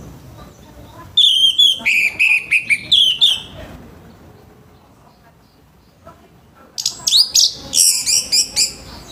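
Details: Orange-headed thrush in loud morning song, its rough voice used to make other thrushes sing sooner: two strident bursts of rapid, harsh high notes, the first slightly descending, separated by a quiet gap.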